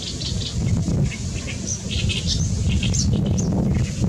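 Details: Great reed warbler singing on 14 May 2021, delivering uneven bursts of harsh, croaking and squeaky notes over a loud, steady background rumble of wind.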